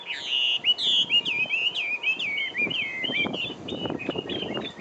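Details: Taiwan endemic hwamei singing: a rich, rapid run of loud whistled notes, many slurred up and down or looping, tumbling one after another with varied phrasing; faint low rustling beneath.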